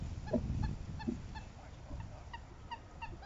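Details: Southern screamer honking during pair-bonding: clear, nasal trumpeting notes repeated rapidly and fairly evenly, loudest at the start and gradually fading, against a low rumbling background.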